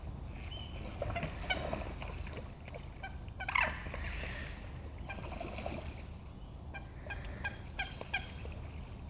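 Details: Common moorhens, two birds fighting seriously on Heslington West lakes, give harsh, gobbling clucks in uneven bursts, loudest around the middle, with short sharp notes scattered throughout against a low, constant background hum.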